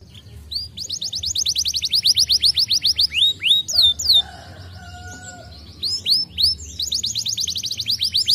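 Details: Canary song used to stimulate other canaries: rapid repeated upswept notes in fast trills, a brief pause with a low whistled tone near the middle, then renewed buzzy rolling trills at high pitch.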